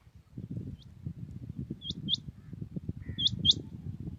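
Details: Early-morning song of a common quail in Pakistan: one short high note, then two quick pairs of sharp notes, over a steady low rumble of background noise.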